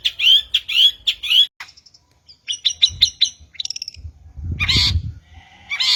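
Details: Long-tailed shrike master song for luring: three loud buzzy chirps, high ticking notes, a quick chattering series, then a harsh rasp over low thumps and a final buzzy phrase.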